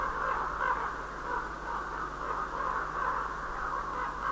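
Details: Common ravens calling each other as the day begins, 5 March 2012: a continuous, overlapping stream of hoarse caws from several birds, steady in loudness throughout, against a background hiss.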